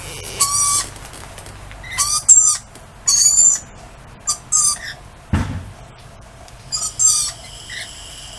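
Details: Several lorikeets greeting a visitor outside, giving a run of shrill, grating screeches in uneven bursts, with one dull thump partway through.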